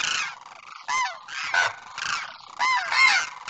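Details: Pair of demoiselle cranes with the male calling to the female: gravelly honks with falling inflections, spaced irregularly, some louder rising peaks toward the end.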